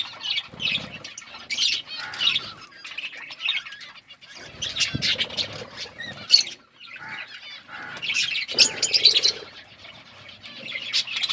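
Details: Budgerigars eating food: repeated clusters of high, buzzy chirps and warbled twitters with short silent gaps, one sharp tap, and faint rustling beneath.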